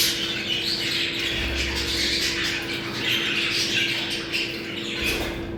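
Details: Budgerigar mating sound used to bring birds into breeding condition: several birds warbling and squawking at once in a dense, scratchy stream, a steady hum beneath.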